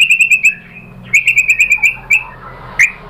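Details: White-rumped shama song for provoking other birds to sing: two quick bursts of clear, high repeated whistles on one pitch, separated by a short gap, ending with a single sharp upswept note.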